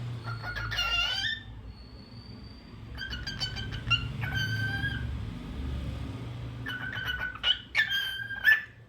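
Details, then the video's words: Cockatiel singing in short bursts of bright, harmonic whistles, some held and some rising into a squeaky upper note, separated by pauses, over a steady low mechanical hum. "Adorable Cockatiel Crazy Bird 🐦 Cute Singing Sounds"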